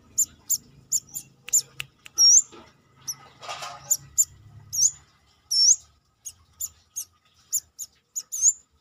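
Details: Indonesian brown-throated sunbird singing loudly outside the cage, recorded as master song: rapid short high ticking notes mixed with a few longer looping upslurred whistles, plus a brief rustle midway.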